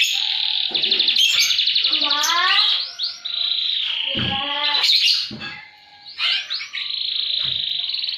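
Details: Canary singing high and low as a tutor recording for silent canaries: fast buzzy trills, stacked descending whistles and looping upswept notes, broken by a few low thumps and a short pause.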